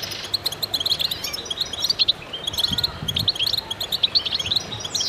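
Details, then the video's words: Chorus of goldfinches singing together: dense, high tinkling twitters and short chirps overlap almost continuously, with brief rising whistles and a faint low rumble beneath. "voices a chorus of goldfinches in concert"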